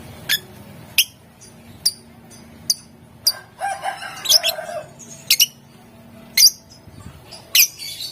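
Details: Lovebird in gacor style with ngetik and ngekek, used to provoke rivals: a steady series of sharp high chirps roughly every second, broken midway by a busier stretch of mixed squeaks and lower chatter.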